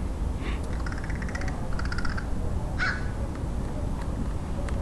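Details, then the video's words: Crow in San Diego, California, USA, on 27 February 2009, with a few rasping caws and one louder hoarse caw near the end, mixed with fainter rapid clicking bird notes and low background rumble. "Crow crowing"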